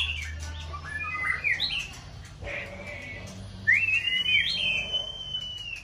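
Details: White-rumped shama, a contest songbird in peak season, heard at moderate distance: scattered short whistled phrases, then a bright rising whistle that levels off and holds, over faint background hum.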